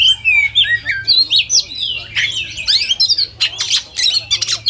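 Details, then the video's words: Kacer, the oriental magpie-robin, in a simulated contest recording: dense, continuous medley of bright whistles, rasping squawks and quick chirps, overlapping and busy, as if several birds sing at once, low hum in the background. "SIMULASI LOMBA KACER TERBAIK"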